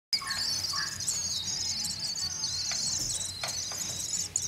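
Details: Swallow chicks being reared, giving a continuous shrill, high-pitched chattering twitter with rapid wavering notes, and a few lower whistled notes near the start.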